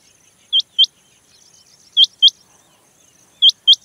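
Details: Rain quail female call recorded in July 2024 on the outskirts of Bhigwan, near Kumbhargaon: sharp, high double notes in pairs about every one and a half seconds, over a faint high insect hiss.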